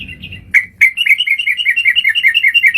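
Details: Sooty-headed bulbul call used as a lure for bird trapping: after a low rumble, two sharp notes, then a fast even run of bright chirping notes alternating slightly up and down, about five per second.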